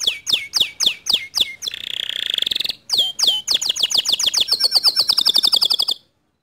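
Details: Song of a canary used to goad a quiet canary into singing: a series of sharp descending chips, a buzzy rolling trill, then accelerating chips merging into a fast high trill before stopping.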